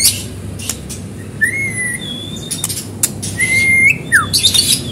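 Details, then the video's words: White-rumped shama singing to prompt other birds: sparse clear whistled notes, some rising, some dropping steeply, separated by short high chips and pauses, over a low constant hum. "Murai batu Gacor pancingan cepat bunyi"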